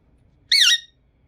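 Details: Green Indian ringneck parrot uttering one short, loud, grating squawk with wavering pitch against a quiet indoor background.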